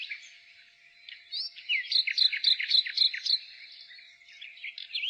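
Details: In spring, a nightingale opens with rising whistles, then delivers a rhythmic series of about eight loud repeated chirps at roughly four per second, ending with softer warbles and a final upslurred whistle.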